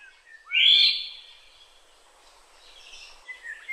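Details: Black-naped oriole recorded in Kaohsiung City, 9 May 2016: a loud, full whistle that swells and then fades, followed by soft scratchy notes and a brief high whistle at the close.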